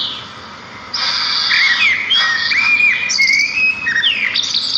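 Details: Birdsong outdoors in nature from sparrows: after a quieter start, a dense chorus of high buzzy trills comes in, with clear whistled notes rising and falling over it.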